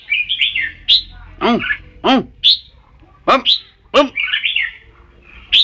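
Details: Red-whiskered bulbul warbling phrases mixed with loud, harsh, downward-sweeping squawks from another caller, in alternating bursts.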